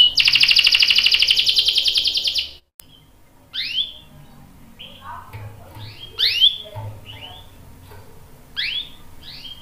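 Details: Canary lure recording meant to prompt a male to answer and sing: a dense, rapid high buzzing trill for over two seconds breaks off, then scattered sharp downslurred chirps follow over quiet background hiss.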